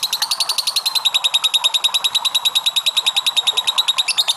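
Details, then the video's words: Lovebird chattering in the long ngekek style, used to lure other lovebirds into singing. Loud, evenly spaced, grating notes come in a fast regular rattle, about seven a second. "LOVE BIRD NGEKEK PANJANG"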